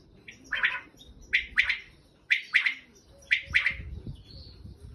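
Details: A wild common quail gives its liquid three-note 'wet-my-lips' phrase, repeated about once a second, over faint low background rumble.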